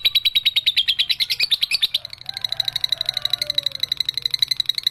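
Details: A young lovebird with a long 'ekek' pours out a rapid pulsing trill, loud and rattling for two seconds, then carrying on more softly as a thin, fast, even trill.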